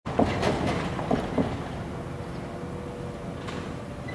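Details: Steady rail-like rumble with a few metallic clunks and a faint sustained hum, and no animal voice.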